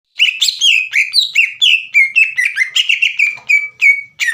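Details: Green leafbird in full, energetic song, meant to provoke a rival into anger and singing: a rapid run of whistled, slurred notes, many dropping in pitch, delivered in a steady stream of about a dozen short phrases.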